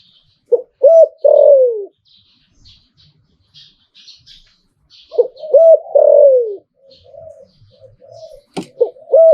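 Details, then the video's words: Spotted dove kept as a cooing bird, liu-tan style: two loud three-part phrases ending in long downward-sliding coos, quiet mellow notes between, and a sudden sharp click near the end. "หลิ่วตันตลอด Thai dove"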